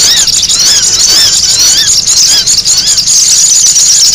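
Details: Sogon giving noisy calls, used as a lure recording for trapping: dense high, squeaky chattering with rapid chevron-shaped notes, several overlapping, continuous throughout.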